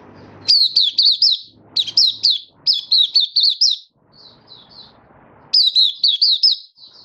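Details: Malaysian mata puteh, a kept white-eye in Singapore on a warm sunny day, 20 March 2023, sings 'buka' style: bright, rapid zigzag chirps grouped in several short runs separated by near-silent gaps.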